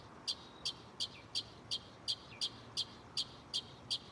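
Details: A mockingbird in a tree right beside the recorder at night repeats one sharp, high chip about three times a second, eleven in a row, over a steady background hiss.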